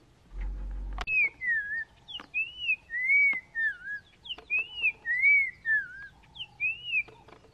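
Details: Black-crowned tchagra in Kruger National Park, calling from low bush branches; a series of clear whistled notes, each arching up then sliding down, some paired, repeated steadily after a brief low rumble and a click at the start.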